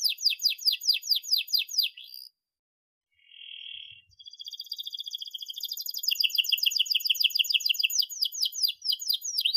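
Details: Canary singing as a model for young canaries learning to sing: quick downslurred notes, a short pause, a soft steady whistled tone, then a long sustained fast trill that rolls into rapid repeated chips.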